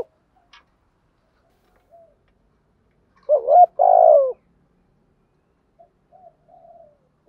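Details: Decoy spotted dove giving a single cooing phrase meant to make wild doves call back: a quick rising note followed by a sustained, slightly falling mellow coo, the rest nearly silent.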